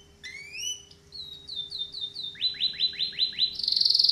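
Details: Training canary's song runs from rising whistled slurs into a series of quick descending notes, then a fast dry rolling trill that speeds up near the end; a faint steady hum sits underneath.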